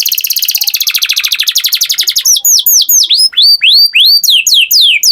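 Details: Canary song opening with a long, even, very fast trill of identical notes, then switching to louder, slower, repeated downslurred whistles.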